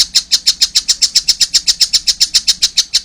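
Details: Fledgling collared kingfisher giving a continuous run of high, scratchy chips at close to four a second, each note loud and evenly spaced.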